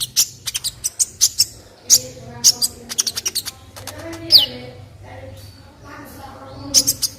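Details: Olive-backed sunbird (kolibri ninja) song recorded as tutor material for other birds: rapid bursts of very high, sharp ticking notes mixed with thin downward-sweeping whistles, a pause, then a final quick flurry; faint low hum beneath.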